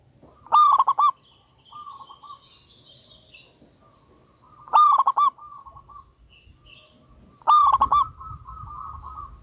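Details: Loud local wild zebra dove in full song on a lure recording: three bursts of quick, stuttering rolled notes, roughly every three and a half seconds, with quiet trailing coos between bursts.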